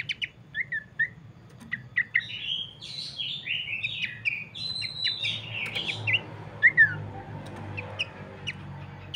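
Abbott's babbler sings bright whistled phrases, rising and falling, with sharp clicking notes between.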